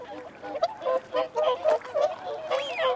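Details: A flock of whooper swans calls while feeding and claiming territory, with wigeon and mute swans about. Loud overlapping honks pulse about twice a second, and a swooping whistle sounds toward the end.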